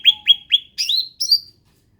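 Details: {'caption': 'Endemic ruby-throated bulbul uttering three clear downslurred whistles about a quarter second apart, then two higher, warbled notes.'}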